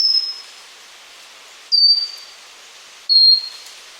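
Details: Song of a pygmy wren-babbler (Pnoepyga pusilla): three clear, very high, drawn-out whistles, each sliding gently downward, spaced about one and a half seconds apart over a quiet background hiss.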